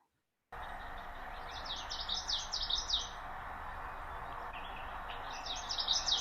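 A Common Yellowthroat sings bouncy, high, rolling 'wichity-wichity-wichity' phrases in two bursts, over a steady background hiss and hum.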